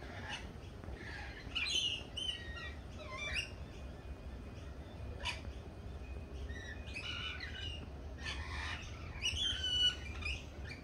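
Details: Lorikeets at a feeding place, scattered shrill screeches and short chirps coming in bursts every second or two, quieter than a close flock, over a steady low background hum.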